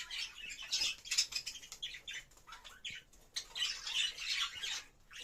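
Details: Budgerigar during mating producing a continuous, rasping chatter of fast, irregular squawks and buzzy chirps, about three notes a second, with a short lull before a final loud flurry.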